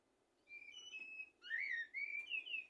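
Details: A common blackbird sings a tutoring song for goldfinches and canaries. Its mellow, fluted warbles rise and fall in two or three connected phrases, with a brief higher overtone shimmer.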